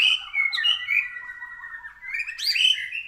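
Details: White-rumped shama singing on a training track, described as still lacking emotion: clear loud whistled phrases, a long sliding warble that falls slightly, then a sharp rising flourish and a sustained whistle.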